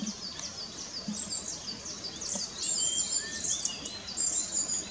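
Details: Long-tailed tits on 4 May, a huddled row of fledglings in a tree, with parents feeding them and calling back straying young: thin, very high, rapid seee notes and short trills, several birds overlapping, over soft hiss.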